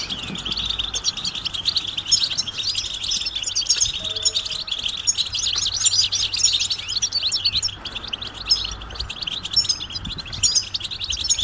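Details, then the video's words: Chorus of European goldfinches giving mating and readiness calls that stimulate males to sing; long unbroken flow of bright, rapid twittering and tinkling notes from several birds at once, with a faint steady hum below. "بتبتة جماعية رهيبة لتحفيز الحسون على التغريد والهيجان"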